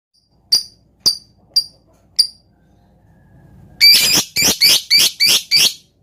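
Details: Lovebird provoking song in the 'ngetik' style with close pauses: four separate sharp, high chirps about half a second apart, a short quiet gap, then a loud run of harsh, buzzy chattering notes.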